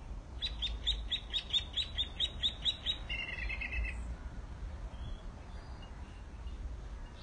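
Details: Mockingbird song: about a dozen bright chip notes repeated quickly at a steady rate, then a short buzzy phrase, followed by faint distant notes and quiet background.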